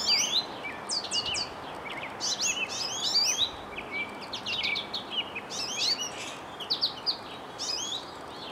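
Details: Spring song of a goldfinch in a birch tree near a bird feeder: lively clusters of high twittered and slurred notes, delivered in bursts every second or so, with a soft hiss of background noise throughout.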